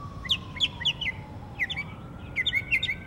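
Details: Northern mockingbird song from Savannah, Georgia, 12 October 2024: quick repeated chirps and down-slurred notes in two bursts, over a faint steady tone and low background rumble.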